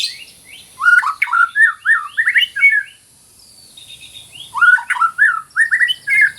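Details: White-rumped shama pouring out dense, rapid whistled and chirping phrases, rising and falling, in two long bursts with a short quiet gap, recorded as masteran material.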